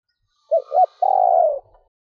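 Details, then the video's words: Female spotted dove cooing to excite males: two quick soft hoots followed by one long, steady, slightly rough coo lasting about half a second, in a quiet setting. "Tiếng cu gáy mái gù gáy kích bổi nhanh gáy / Chim cu gáy mái 3 hậu gù cà lăm / cu mái kích bổi"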